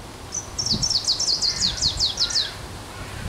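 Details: Eurasian wren singing in Warsaw on 9 June 2023, described as a spring visitor. A single rapid burst of very high, sharp, descending notes runs for about two seconds. Low background noise.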